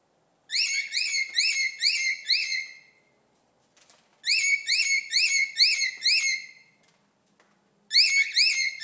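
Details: A male cockatiel gives bright, whistled mating calls to attract females, repeated in quick bursts of rising and falling notes.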